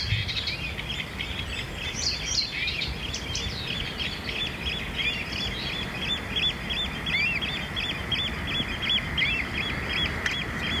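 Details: Blyth's reed warbler in a home town next to a railway carrying over 400 trains a day; rapid repeated high chattering notes run continuously over a loud steady rumble.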